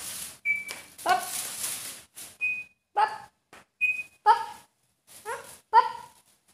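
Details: Pet Indian Alexandrine parakeet, a talking parrot, playing with family indoors: short harsh squawks with stacked overtones, repeated roughly every second, mixed with thin high whistled notes and a brief noisy burst early on.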